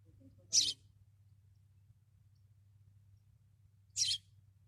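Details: Sparrow perched atop a caravan in a desert gives two sharp, high chirps about three and a half seconds apart, with a constant low hum behind.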